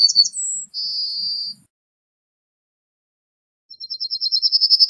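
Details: Yellowhammer singing: a high drawn-out whistled note ends one phrase, then after a pause a fresh series of quick, evenly repeated high chips starts and grows louder.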